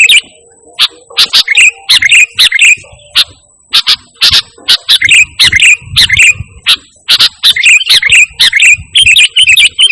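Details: Sooty-headed bulbul in full, lively song with no imitated phrases, used to lure and tutor pet birds. Bubbly, warbled chirps are cut by sharp broadband clicks, coming about twice a second in uneven bursts.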